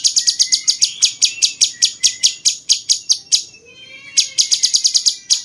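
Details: 'Rasa jenggot' style cucak cungkok bulbul, a master bird for training champion songbirds, pouring out a long rattling train of sharp, high chips, pausing briefly before resuming at the same hurried pace.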